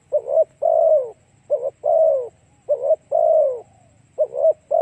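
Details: Spotted dove song used as a lure to stir other doves: a short doubled coo then a longer, husky, downward-sliding coo, the phrase repeated four times at roughly 1.3-second intervals over a faint low hum.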